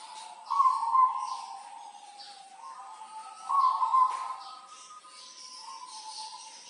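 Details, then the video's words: Actively singing local zebra dove (perkutut) from Tulungagung, kept as a tutor bird, giving drawn-out mellow coos in phrases roughly three seconds apart, each swelling then fading into a softer trailing note, with light background hiss. "Perkutut lokal gacor dor gacoran untuk masteran"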